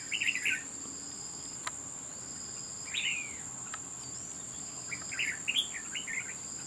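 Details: Red-whiskered bulbul calling while fighting at a trap: short bursts of chirpy, warbled notes that rise and fall, in three spaced groups, over a steady high insect drone.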